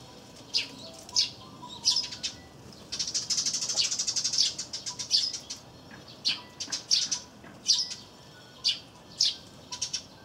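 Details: Sparrows calling busily beside a wreath feeder visited by a great tit, April 2013: sharp high chirps throughout, with a dense rapid chattering run in the middle seconds before single chirps resume.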